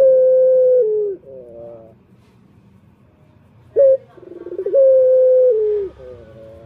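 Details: Male turtle dove calling as a lure for males: a long level coo sliding down at the end and a soft wavering tail, a pause, then a short sharp note, rolling trill and second drawn-out coo.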